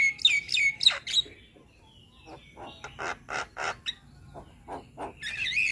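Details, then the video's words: Young Javan myna singing: a few loud whistled notes, then a string of harsh raspy chatters at about three per second, ending in a bright whistle. "Masteran Burung Jalak Muda - Jalak Kebo gacor Banyak Isian"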